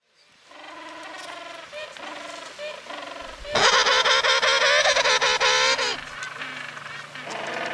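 A penguin gives a loud, harsh, donkey-like bray of rapid pulses lasting a few seconds, with a spoken voice naming it before and after.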